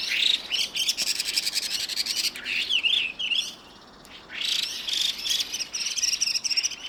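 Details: Chinese hwamei, two birds calling in the evening with both harsh and high piping sounds; loud buzzy, rasping bursts alternate with short twisting whistles, a near-silent pause partway through.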